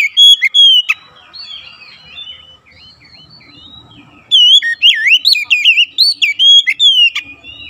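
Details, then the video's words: Oriental magpie-robin song meant to set other magpie-robins singing: a brief loud whistle, a soft rambling warble, then a long energetic run of looping whistles and sharp chips. "PANCINGAN KACER langsung gacor ngotot"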